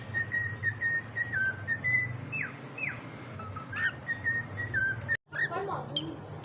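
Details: Whistling from cockatiels: short flat whistles repeated in a chain, then several falling slides, a brief dropout near the end and a soft chatter afterwards over low hum.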